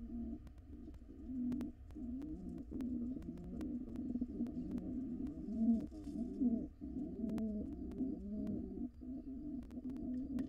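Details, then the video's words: Wild pigeon pair courting each other inside a nest box: a continuous run of low, rolling coos, overlapping and repeated with soft throaty bubbling; faint clicks in the background. "Pigeon pair court each other."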